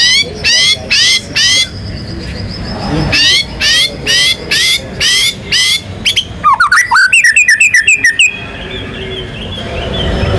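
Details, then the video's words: White-rumped shama in full song used to provoke other birds: rapid series of bright downward-swept whistles, then a fast churring trill of quick notes, ending in a fading high tone. "MURAI BATU GACOR MANCING BURUNG LAIN BUNYI‼️ MATERI ISIAN NGEROL NEMBAK IRAMA LAGU LENGKAP ISTIMEWA"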